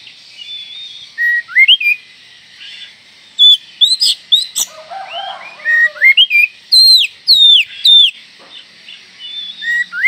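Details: Oriental magpie-robin calling to stir up other magpie-robins: a lively, uneven stream of sharp whistled notes, mostly falling slurs, with a short burst of lower scratchy chatter midway.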